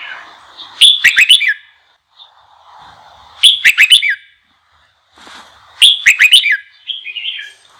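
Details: Red-whiskered bulbul song meant to spur other bulbuls to sing: three vigorous phrases of fast, ringing whistled notes spaced about two and a half seconds apart, with a brief softer trailing warble and faint low chatter between.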